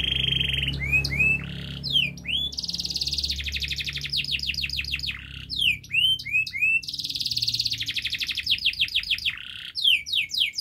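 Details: Long canary song used to prompt young canaries to sing quickly: alternating rapid buzzy trills and groups of sweeping whistled slurs, repeated in several phrases over about ten seconds, with low background hum.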